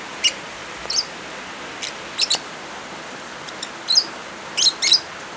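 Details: Lovebirds combined with rain, meant to coax birds that have gone quiet: around ten sharp, squeaky chirps, some single, some in rapid doublets, bunching toward the end, over continuous soft rain hiss.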